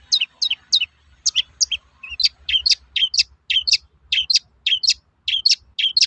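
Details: Long-tailed shrike with its characteristic toet-toet sound, played to rouse young shrikes into singing quickly: steady bursts of loud, sharp descending chirps, often paired, repeated several times a second for the whole stretch.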